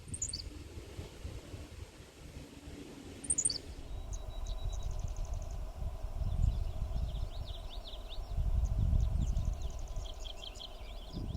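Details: A Henslow's Sparrow calling nearby in a tallgrass prairie patch in southwest Iowa gives its simple two-note "tsi-lick" song twice, a few seconds apart, over steady wind rumble, with other faint high chirps and buzzes later.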